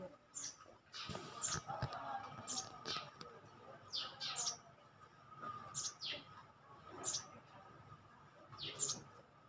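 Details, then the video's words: Nestling of a bird known locally as Costa, in a nest in a corner of a house where the parents enter through the roof sheeting on a hot day; thin, high, rising chirps repeated in short bursts, with a steady background hum. "Yan lalapit ko mga kalapatids, pakinggan niyo yung huni ng inakay."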